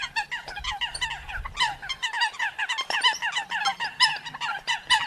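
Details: A dense, continuous stream of quick nasal yelps and honks from Eurasian coots, closely spaced and overlapping, with a low hum audible during the first two seconds.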